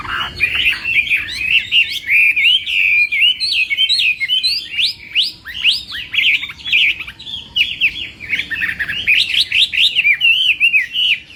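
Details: Chinese hwamei practising its morning song, competition-style: a dense, energetic medley of quick slurred whistles and jagged note sequences, continuing for over ten seconds with barely a break.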